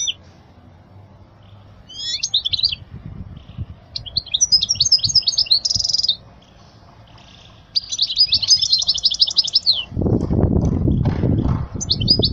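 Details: European goldfinch song used to teach young birds: bursts of high twittering with a buzzy trill, a long rapid chattering run, and broad low rustling noise toward the end.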